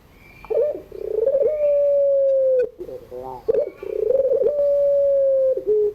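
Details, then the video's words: A puter pelung dove singing in the afternoon: rapid quavering notes leading into a steady, drawn-out coo that sags slightly at the end, heard twice, with a faint high whistle in the background. "tangisan suara puter pelung sore hari"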